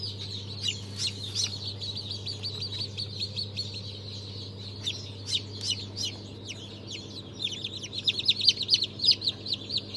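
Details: Chorus of freshly hatched Brahma, Fizan, Australorp and Legbar chicks from a 3 March 2023 hatch: many sharp, high-pitched cheeps in rapid overlapping bursts, growing louder near the end, with a constant low hum beneath.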